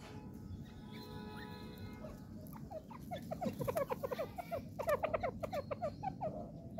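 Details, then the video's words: Partridge, known locally as teetar, calling: a fast run of short, sharp repeated notes that starts quietly and grows louder and denser in the second half, over a steady low rumble with faint tonal hum early on. "teetar calling sound / तितर की आवाज. partridge voice"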